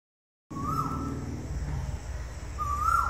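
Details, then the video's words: Indian cuckoo calling at sunset in Silchar, recorded on a mobile phone: clear, mellow whistled notes that rise slightly, spaced about two seconds apart, over a steady low rumble like distant traffic. "Indian Cuckoo Calling"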